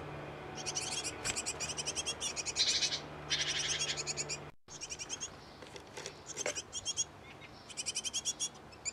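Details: Great tit nest box, where a pair has settled and is busy feeding nestlings; rapid high-pitched chirps come in dense rhythmic bursts, many notes overlapping, with a short break midway and a faint low hum beneath.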